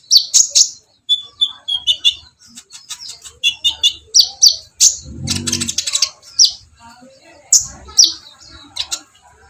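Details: Purple-throated sunbird (kolibri ninja) song of very high, rapid chattering bursts and short sharp chirps, delivered in quick clusters with brief pauses, plus one low rough noise burst midway.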